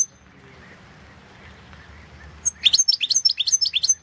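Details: European goldfinch competing in the 2016 World Championship in Goldfinch Song; after a quiet start, a lively sustained stretch of rapid chattering, twittering notes with bright high tinkles lasting over a second.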